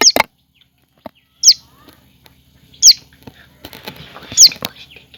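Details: A small yellow-and-brown common tailorbird chick giving sharp, high, downslurred notes, one roughly every one and a half seconds, with scattered clicks and knocks and a faint low hum.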